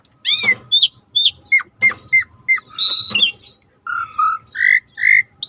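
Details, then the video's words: Asian pied starling (jalak suren) song meant to prompt silent birds to sing: clear slurred whistles, some rising and some falling, with a few harsh buzzy notes between them. "tembak burung jalak suren yang macet bunyi auto dengar yang ini"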